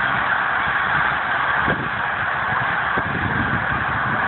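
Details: Winter flock of thousands of geese suddenly taking flight from a frozen lake at Pemberton, New Jersey, December 2010: a massed wall of honking voices and deep, irregular wing thuds.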